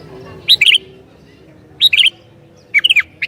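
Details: Sooty-headed bulbul, described as good at provoking other bulbuls, sings three short bubbly phrases of falling slurred notes roughly a second apart, with a low hum in the background.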